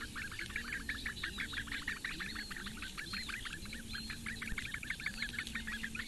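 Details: Eurasian bittern chicks, four in the nest at Lake Engure, Latvia, being fed by the female on a May morning; rapid chirping chatter over repeated low, drawn-out humming tones that rise and level off.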